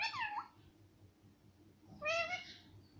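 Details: Talking parrot, said to say mummy and papa, makes a quick falling then rising syllable, a long pause, then a brighter, level, drawn-out harmonic word.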